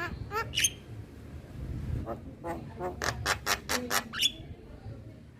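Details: Male Javan myna: scattered harsh rasping notes building into a quick burst of loud chacks, finishing with a thin, high whistled note, against a muffled low background hum.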